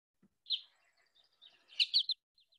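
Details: American goldfinch (Spinus tristis) flight call: a quick run of thin, high, bouncy notes, a jerky four-part 'po-ta-to-chip' with a softer note before and two faint notes after.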